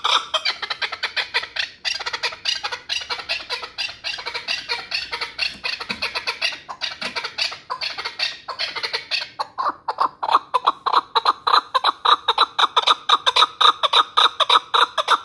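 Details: Hunting chukar partridge from the Pamirs. A dense, jumbled run of rapid clucks and chatter settles into a clearer rhythmic chuck-chuck series in the final seconds.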